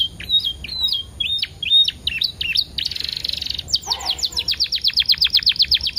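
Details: Canary lure song, set with 10-second pauses to get canaries singing: varied hooked whistles, a harsh buzzy burst, then a rapid run of about fourteen steep falling whistled notes, repeated quickly.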